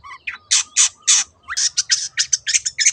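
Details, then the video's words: Long-tailed shrike 'teot teot' song meant to draw other birds into singing: loud, broad, harsh rasps at first, then a rapid series of shorter scratchy notes. "SUARA BURUNG CENDET TEOT TEOT pancingan AGAR BURUNG MANAPUN IKUT GACOR"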